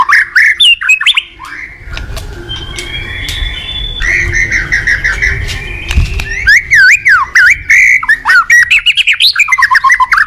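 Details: White-rumped shama singing in the morning, used as a lure to prompt caged birds to sing: rich varied phrases of whistles and squawky notes, then rapid looping sweeps, over a low rumbling background.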